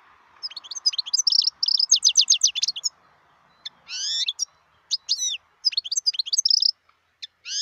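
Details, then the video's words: Wild European goldfinch song from 2018. A rapid twittering run of high chirps is followed by drawn-out, rising, wheezy notes and more clipped twitters, over a faint steady low hum. "صوت الحسون البري"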